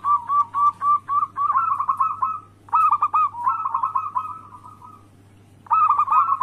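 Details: Zebra doves, local type, singing anggungan coos used to draw rival birds into calling: strings of quick purring coos running into longer rolling phrases, a near-silent gap around five seconds, then a fresh burst, over a faint constant hum.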